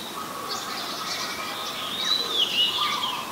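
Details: Oriental magpie-robin, a very common resident, recorded 23 December 2019 in Ubon Ratchathani, Thailand, on a Nikon P1000: clear high whistled phrases, some sliding and wavering, over a steady low hum of background noise.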